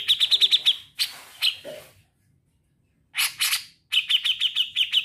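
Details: Grey-cheeked bulbul (cucak jenggot) singing actively in a trilling style. Rapid runs of sharp high notes, about six at a time, alternate with harsher broadband bursts. One second of silence falls before another trill series.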